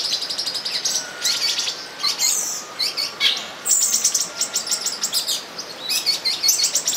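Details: Mating olive-green tanagers recorded in São Bento do Sul, Brazil: rapid, very high chips and squeaky tweets tumbling over one another in an unbroken chatter, with a thin constant tone behind.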